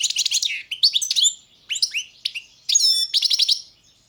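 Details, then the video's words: European goldfinch, subspecies balcanica, delivering rapid tinkling chirps and slurred whistles in three phrases, with a clear ringing note near the end. "Pesma štiglića, češljugara , grdelina, lokera carduelis balcanica"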